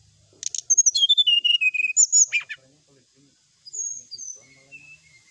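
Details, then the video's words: Brown-chested jungle flycatcher song for tutoring caged birds: a fast descending cascade of clear high whistles ending in a sharp flourish, then softer drawn-out whistles. "srdc gacor full isian ,masteran srdc malam hari dan terapi srdc"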